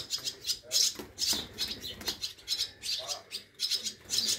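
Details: Hand-fed swallow young at a care station in Scharzfeld, Germany, 1 August 2022, after falling from nests; sharp high-pitched chirps in repeated bursts, with light wing flutters and rustling.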